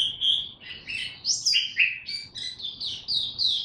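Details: Oriental white-eye ramping up its buka tiong song: a dense run of very high, squeaky twitters and thin whistled slurs, pouring out almost without pause.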